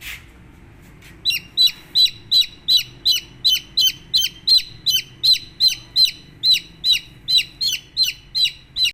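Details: After a brief start, a baby chick peeps continuously: loud, shrill notes sliding downward, repeated evenly nearly three times a second, over quiet low hum.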